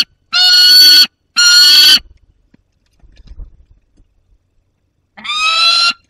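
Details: Young peregrine falcon with prey, Barycz Valley, 30 August 2022, another falcon nearby: two loud grating screams in quick succession, a quiet pause with faint rustling, then a third scream.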